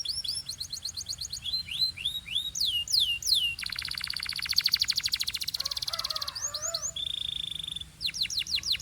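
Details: Canary singing in the pure Belgian style: sweeping whistled slurs, then a long fast buzzy trill, a low warbling passage and a steady high note before more rapid rising-falling slurs.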